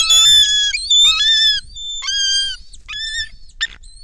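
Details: Bald eagle at the nest on a Kisatchie National Forest nest cam, 10 December 2023, a foreign female arriving with a fish while another eagle flies overhead; loud, piercing, squealing calls in harmonic-rich bursts, then shorter broken chirps.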